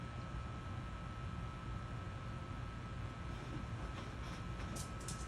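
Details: Steady low rumbling machinery noise like a moving train, with a faint constant tone and no animal voice. Brief clicks and hiss appear near the end, but no calls or song can be picked out.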